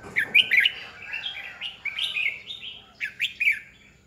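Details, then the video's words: Red-whiskered bulbul decoy bird in competitive singing meant to stimulate other bulbuls: a lively run of rich, slurred whistles and chirpy notes, loud at the start, continuing in quick linked phrases with brief gaps. "Chào mào mồi cực hay khi luyện giọng ép bổi sổ bọng 2020, Cách luyện chào mào hót căng lửa 2020"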